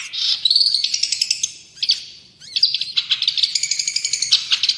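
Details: Long-tailed shrike singing tutor song: high sweeping whistle and chirp phrases, a short pause, then a fast rattling series of bright notes with layered squeaks.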